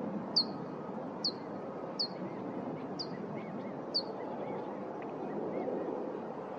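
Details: Abert's towhee (Melozone aberti), call.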